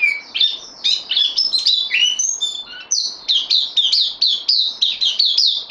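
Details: Bulbul, a caged newcomer on loan, opens with varied whistled and slurred phrases, then settles into a quick, steady series of bright downward chirps.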